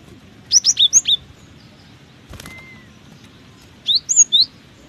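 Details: Cinereous tit singing through strong wind: two phrases of four or five sharp, high whistled notes in a see-saw pattern, separated by a pause with a brief thin whistle from another bird; background fairly quiet.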